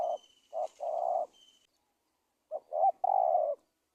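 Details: Lure call of a spotted dove used to attract wild doves for trapping: two mellow three-part phrases, each a brief note and then a drawn-out coo, separated by over a second of silence. Faint high steady tones sound early on.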